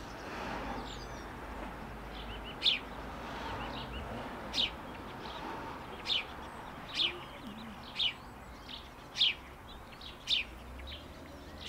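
A male house sparrow gives about eight sharp, bright chirps, roughly one each second, over a steady hiss of background noise.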